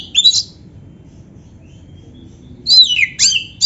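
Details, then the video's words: Oriental magpie-robin, called kacer, sings canary-style fill-in phrases: one short bright whistle, a long quiet gap, then two sweeping, slurred whistles falling in pitch. "suara Kacer gacor isian komplit | Masteran Kacer ISIAN Burung Kenari"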